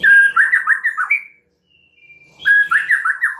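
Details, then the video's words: White-rumped shama singing as a lure to provoke a full song repertoire. Fluty warbled phrases roll up and down, break into a brief silence with a faint high whistle, then resume warbling. "Murai Batu anda dijamin langsung BONGKAR ISIAN dengar PANCINGAN Murai Batu satu ini"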